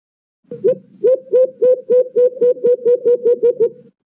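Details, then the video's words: White-eared brown dove, or alimokon, played as a trapping lure: a rapid run of about twelve low, hollow hoots, each slightly rising then falling, evenly spaced near three to four per second. "The best White eared Brown Dove Chirping | Huni nang Alimokon"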